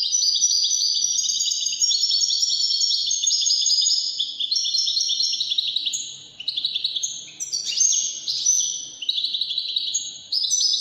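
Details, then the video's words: Long, energetic European goldfinch song, 'widani' goldfinch, a rapid cascade of high, tinkling twitters, trills and buzzy chirps, with brief lulls near the middle before the jangling warble picks up again. "تغريد طائر الحسون الويداني chant de chardonnere"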